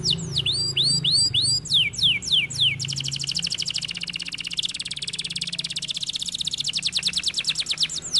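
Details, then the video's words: Singing canary, kenari gacor style: first a string of looping downslurred whistles, then a very fast, sustained buzzy trill of dense repeated notes lasting over five seconds. "The canary sings beautifully"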